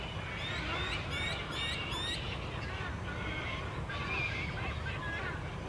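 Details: Purple swamphen (Porphyrio porphyrio) chick begging while being fed, Centennial Park, Sydney, Australia, February 2017: thin, high peeping notes in quick bursts, loudest early on, over a low rumble of wind and distant traffic.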